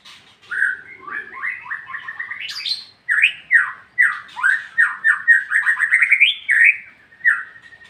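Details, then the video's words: White-rumped shama in ngeplong-ngeplong song: strong run of whistled notes, each sweeping up then dropping, delivered rapidly in a continuous series, ending on a long flat whistle after a brief pause. "MURAI BATU NGEPLONG-NGEPLONG Burung anda pin ikut nyaut"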